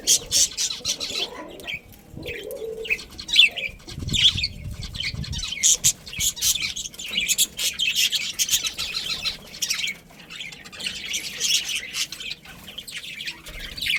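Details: Breeding colony of budgerigars keeps up busy high-pitched chatter, many overlapping scratchy chirps and short squawks, with a low thump or rumble heard early on.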